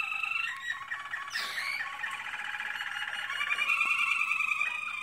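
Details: American Singer canary in training, singing a continuous rolling, warbled song of rapid trilled notes with rich harmonics, a brief sharp upward squeak midway, then a brighter high trill toward the end.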